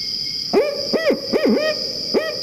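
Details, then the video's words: Playback of a barred owl's "Who Cooks for You?" call, a common call longer than the spotted owl's. A series of five deep hoots, some quickly paired, arching up and down, with a constant high tone behind. "So that's our 4-note call for the spotted owl, and this is a barred owl call, which is a pretty common call. It's often called "Who Cooks for You?""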